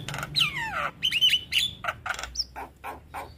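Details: Javan myna song used as master recording for training young birds: a long descending whistle, a few short looping whistles, then a run of harsh rasping notes.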